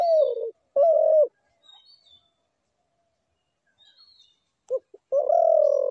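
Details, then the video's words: Two low coos from a spotted dove, a quiet gap with faint distant chirps, then two short clipped notes and a long sustained coo. "ঘুঘু পাখির ডাক"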